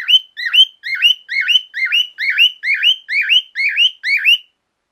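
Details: Male cockatiel kept as a pet, calling very loudly: a rapid series of about ten harsh, rising-and-falling screeches around two per second, each with a sharp upward sweep, no other sounds.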